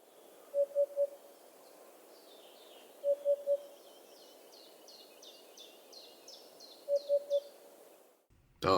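Eurasian Hoopoe giving soft, low hollow 'oop-oop-oop' triplets about every three seconds, with thin high chirps from other birds behind.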